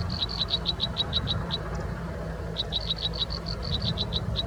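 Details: American robin nestlings in a backyard nest while a parent feeds them: thin, high peeps repeated rapidly in two bursts, about three per second, broken by a short pause, over a steady low rumble.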